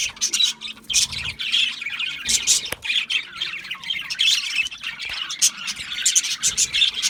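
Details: Choppy budgerigar squawking: harsh, raspy bursts alternate with short gaps and thin chirps, plus an occasional sharp click, several birds calling at once.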